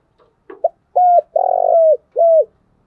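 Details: A thick-voiced 'thổ đặc' spotted dove calls in the morning. A couple of soft lead-in notes come first, then a short note, a steady coo, a long throbbing coo and a falling final coo, low and resonant.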